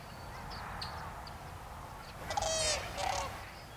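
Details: A sandhill crane on migration, feeding and dancing in farm fields at a refuge in Oregon or Washington, gives a brief rolling, rattling trumpet call of two bursts over background hiss, with faint high chirps from other birds.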